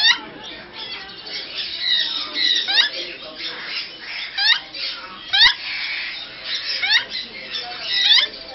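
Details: Mating African grey parrots in Bangalore give continuous grating, noisy chatter with several quick upward-swooping whistles, some clustered near the end, loudness rising and falling unevenly indoors.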